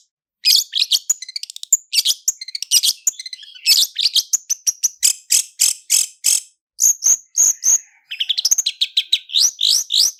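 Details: Clear lure recording of long-tailed shrike song, 'roll speed' and 'roll tembak' styles with full fill: a quick stream of sharp high clicks, short whistles and scratchy notes, some phrases repeated in rapid runs.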